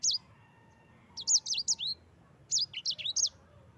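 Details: Song of a yellow-fronted canary, known locally as sanger or mozambik, played as a master recording for training other birds: clear, high, curling whistles in quick groups of four to five, with short pauses between phrases.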